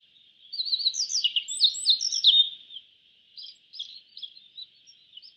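A Yellow bunting gives a quick, high, twittering burst of jumbled notes lasting about two seconds, followed by a few scattered, thinner chirps.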